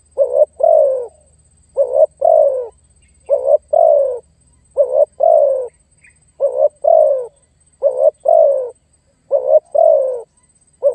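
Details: Spotted dove calling to lure and pressure a rival: a phrase of a quick double note and a long falling coo, repeated about seven times roughly every 1.6 seconds, with a faint low hum beneath.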